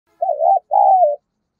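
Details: Spotted dove used as a decoy, cooing to lure wild doves: a short wavering coo, a brief gap, then a longer drawn-out coo that slowly falls in pitch. Nothing else is heard.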